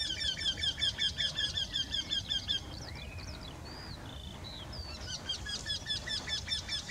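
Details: Eurasian wryneck song from one of two birds sharing a tree: a fast, even sequence of nasal notes for over two seconds, a pause filled by thin whistles and chirps of other birds, then the repeated notes resume.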